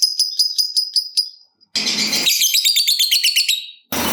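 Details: Lovebird ngekek trilling, used to stimulate other lovebirds: a series of quick repeated high chips, then a dense buzzy rattling trill of nearly two seconds, with a burst of rough noise between.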